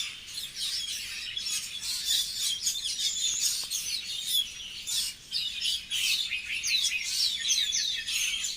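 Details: Birds tweet in a steady stream of sharp, high chirps and quick trills, with brief dips between clusters.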